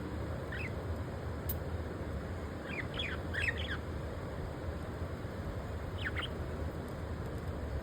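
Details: Two pet budgerigars preening each other's feathers as a bonding display; short raspy chirps come in quick bursts near the start, middle and end, over a steady low rumbling background noise.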